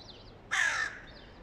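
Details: Hooded crow, the mate of a dominant crow, calling to demand an attack on a young crow; a single harsh, broadband caw lasting under half a second stands out against quiet background noise.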